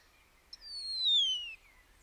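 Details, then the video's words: Common starling giving a single long, pure whistle that slides steadily downward over about one second, beginning with a sharp click. "The call of the Common Starling"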